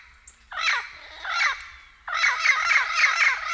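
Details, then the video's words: Turquoise-fronted amazon (Amazona aestiva) giving harsh, raucous squawks: two separate calls followed by a rapid run of grating screeches at about four per second. "CANTO DO PAPAGAIO - PAPAGAIO VERDADEIRO - SOM DO PAPAGAIO"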